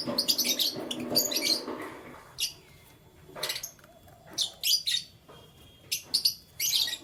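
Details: Morning canary chirping: an opening run of quick high tweets over a low rustle, then spaced clusters of sharp chirps and short trills separated by brief silences.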